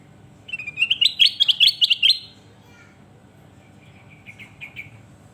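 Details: Ruby-throated bulbul song used for training other birds: a rapid burst of bright, bubbling whistled notes rising and falling over about two seconds, followed by a softer, shorter phrase.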